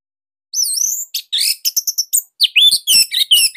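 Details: Orange-headed thrush singing master song meant to provoke other birds into singing: a sliding high whistle followed by a fast series of sharp chirps, trills and varied high notes, clean and loud.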